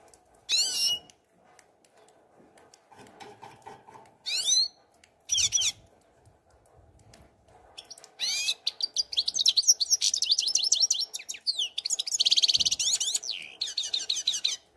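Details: European goldfinch (Carduelis carduelis), song.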